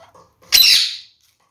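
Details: Captive red-fronted parakeet, one of a pair, calling while eating seeds: a single harsh, rasping squawk about half a second long, loud and high-pitched, with faint soft notes before it in an otherwise quiet room.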